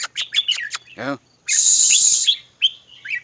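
A red-whiskered bulbul gives a quick run of bright chirped notes, then a harsh, rasping burst and a few clear whistled phrases.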